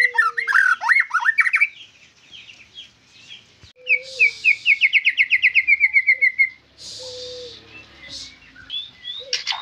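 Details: White-rumped shama song that mixes tumbling whistles with a fast, even series of about fifteen repeated notes falling slightly in pitch, then short buzzy bursts and scattered whistles.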